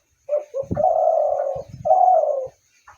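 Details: Spotted dove giving a low cooing phrase: short soft introductory notes, then a long steady hollow coo and a second drawn-out coo, with low thumps or handling sounds beneath.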